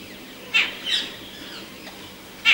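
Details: Rose-ringed parakeet, also called ring-necked parakeet, giving harsh, grating screeches: two loud raspy notes about two seconds apart with a softer scratchy note between them, over a light background hiss.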